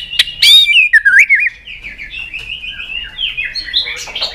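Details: White-rumped shama, excited and fired up, flicking its tail on a perch: loud rich whistled phrases sweeping up and down at the start, followed by a quieter, long, wavering warbled run of high notes.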